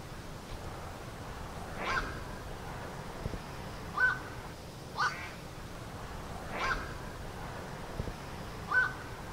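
Black-crowned night heron giving harsh, croaking 'quok' calls, single and evenly spaced about every one to two seconds, over a steady background hiss.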